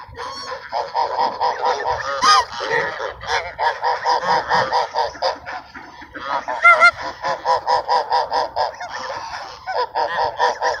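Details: A flock of ducks at Sunset Park, being fed on 10-10-17, gives long rhythmic series of rasping nasal quacks, several per second, overlapping and continuing almost without pause.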